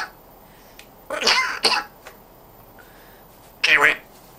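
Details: A talking African grey parrot, which speaks with a Yorkshire accent, gives three short, harsh, breathy bursts like clipped words or a sneeze, with pauses between them in a quiet room.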